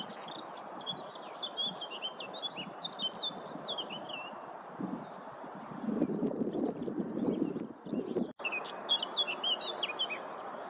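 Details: Singing garden warbler gathering nest material, Viersels Gebroekt, 27 April 2021. A rapid, rambling warble of varied short notes runs for about three seconds, then a pause with low rustling and handling noise before another burst of warbling.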